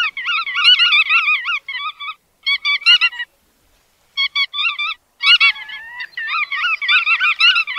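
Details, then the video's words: Groups of nasal, harmonic bar-tailed godwit notes alternate with short pauses, followed by a renewed stretch of overlapping flock chatter and one longer, lower drawn note. "Tiếng Chim Choắt Đuôi Vằn"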